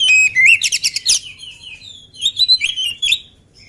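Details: Oriental magpie-robin, described as agile and not yet fed, singing vigorously: loud high whistled phrases mixed with rapid chattering trills, then rising and falling clear notes after a short pause.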